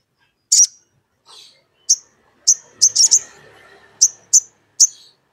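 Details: Sogon singing to challenge a rival and provoke another sogon to answer: short, shrill, very high chirps in an irregular series, some doubled, over a faint background hum.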